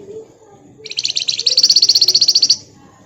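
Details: Flamboyan bird in chattering lure song: a loud, high, metallic trill of rapid even pulses running nearly two seconds, quickening into a sharp rattle, with faint low noise behind.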